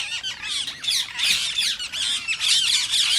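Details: A green Indian ringneck, the rose-ringed parakeet, screeches steadily with a mating-stimulation intent; dense, grating high calls overlap in loud pulses about twice a second, leaving little quiet between them.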